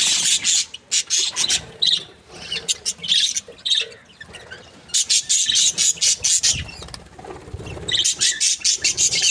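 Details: Happy pair of breeding budgies chirping in bursts of rapid clicking, scratchy chatter, with brief pauses between runs of sharp high notes.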